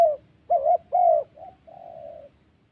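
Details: Spotted dove, a ground decoy bird used in trapping in the wild forests of the Central Highlands, Gia Lai, Vietnam. Low hollow coos: three strong short notes, a soft brief note, then a longer, level, drawn-out coo, in a quiet setting.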